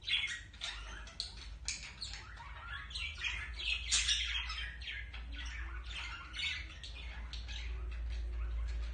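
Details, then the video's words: Two budgerigars in romantic courtship ahead of mating give scratchy, squawking chatter in quick repeated bursts, roughly four per second, over a steady low background hum. "تزاوج البادجي أو البيروش وحركات الرومانسية بين الطائرين"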